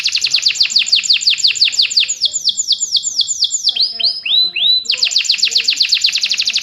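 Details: Fighting canary singing for song training: fast repeated down-slurred whistles, a short run of lower looping notes, then the rapid high trill starts again.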